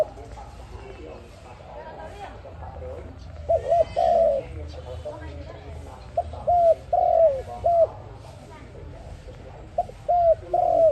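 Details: A dove coos in short mellow bursts of three or four hooting notes, with pauses between each phrase, over a low background rumble; the sound is offered as a lure for dove trapping.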